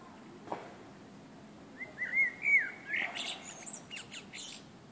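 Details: A common blackbird on a summer evening sings a mellow, fluty warble of slurred whistles, ending in a squeaky, high twitter; the background is quiet apart from a faint click.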